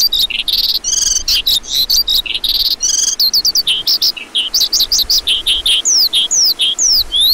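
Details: High, buzzy trills from a lark give way to a series of clear downward-sliding whistled chirps, each note separated by a short gap.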